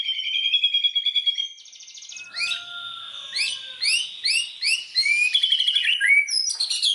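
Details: White-rumped shama singing as a lure to stir other shamas into full song; a steady rapid trill gives way to varied rich whistles, upswept notes and buzzy phrases in a shifting, complex sequence.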